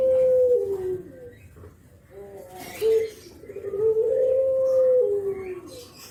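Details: Nodding Javanese spotted dove giving its kuk geruk call, used as a lure for other spotted doves; a long level mellow coo sliding down, brief low notes in the middle, then another drawn-out falling coo.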